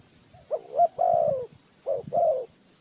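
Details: Spotted dove used as trapping bait, cooing a stuttered rising note and a long falling coo, then a second shorter phrase, against a quiet background.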